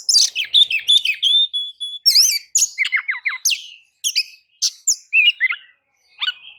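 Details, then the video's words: Kacer, the white-rumped shama, in a lure song to get other birds singing: a varied, fast string of clear whistles, sweeping slurs and sharp high notes, with gaps between phrases. "kicau pancingan kacer gacor pagi sore siang malam"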